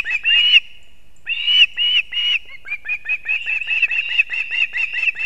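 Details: Latvian osprey nest in Kurzeme, 3 September 2024, early morning, while the father delivers two fish to the young, recorded by a live stream camera; clear piping chirps come in quick succession, broken by one pause, then speed up into a steady rapid series.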